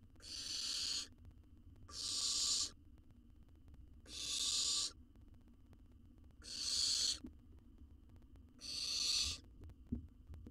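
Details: Wild baby owl in a monitored nest box, feeding on a whole jird. It gives five harsh, breathy screeching hisses, each lasting under a second and repeated about every two seconds, with soft scratching between them.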